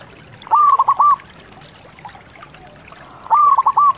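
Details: Zebra dove (perkutut lokal) singing: two crisp, loud phrases of three or four rapid cooing notes, about three seconds apart, with near silence between.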